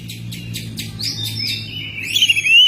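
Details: Home-kept Oriental magpie-robin singing in May: a series of short notes gives way to long sweet whistles and a rising, slurred phrase at the end, over a low mechanical hum.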